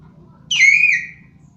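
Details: Common hill myna, a bird famed for loud mimicry of other animals' sounds, giving one clear whistle about 0.7 seconds long that starts sharp and slides gently downward, with rich overtones and a low hum in the background.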